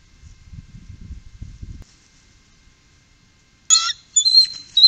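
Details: Three bald eagles on the Upper Mississippi, 2018; after a low rumble and a near-silent stretch, loud, high, shrill chattering calls burst out in three short bouts toward the end.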